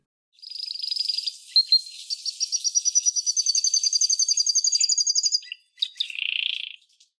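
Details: Canary (Serinus canaria) sings a long, rolling, high-pitched trill of rapid bright notes, about five seconds without a break, then a few short chirps and a buzzy note.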